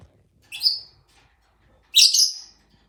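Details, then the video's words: Pet lovebirds, caged, trying to break out and fighting at the camera and another bird: two harsh, buzzy, high squawks about one and a half seconds apart, each briefly falling in pitch, with near silence between. "My lovebirds is trying to brake out and fighting on to the bird and the camera"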